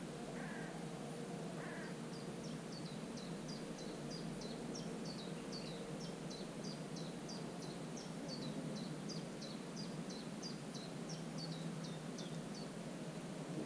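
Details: A common cuckoo chick in a marsh warbler's nest, recorded 24 June, gives a fast, steady run of thin, high begging notes, about three each second, after two brief harsher calls, over a constant low background hum.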